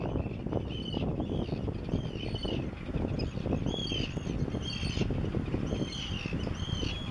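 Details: A non-breeding roseate tern in a tern roost on the Isle of May in June 2017 gives short, arched, slightly rasping calls about every second over strong wind or surf rumble.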